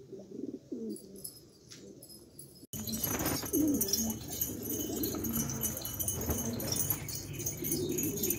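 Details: Pigeons described as rare Australian pigeons; soft low cooing phrases in the opening seconds, then an abrupt cut to a louder, noisy scene with faint coos under hiss and bright high-pitched clatter.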